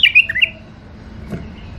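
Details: ['Tame caged bulbuls, a pair of male and female, give one quick liquid chirping phrase of rising and falling whistled notes lasting about half a second. Quiet room noise follows.']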